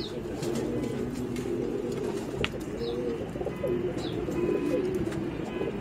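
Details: Racing pigeons kept with children: low, soft cooing rolls on continuously, several birds overlapping in a steady murmur, with a few faint higher chirps and a sharp click near the middle.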